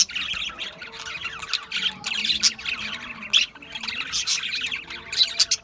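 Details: Budgerigars, Australian budgies, chirping together: bursts of rapid, scratchy high chatter broken by brief quieter gaps, with a soft background hum.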